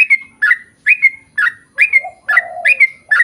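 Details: Sooty-headed bulbul in energetic song meant to draw replies from the same species: bright, liquid whistled notes, often doubled, repeated about twice a second, with one low drawn-out note midway.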